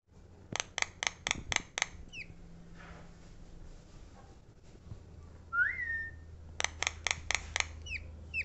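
A Javan myna gives bursts of five or six sharp clicking notes, each burst followed by a bright rising whistle, over a low steady hum.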